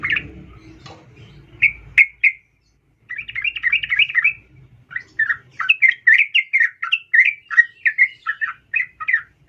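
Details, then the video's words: Female sooty-headed bulbul calling a male, used to lure males; a few isolated chirps, then long chattering runs of slurred bubbly notes, with low rumble early on. "trucuk Betina memanggil jantan"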